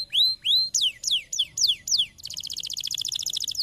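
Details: Singing canary, played to stimulate other canaries into song: drawn-out rising whistles, then loud falling sweeps about three per second, switching to a very rapid high buzzing trill.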